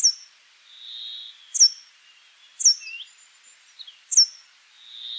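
A Brambling gives a drawn-out, nasal, wheezing buzz, while sharp high chirps dropping in pitch repeat roughly every second and a half.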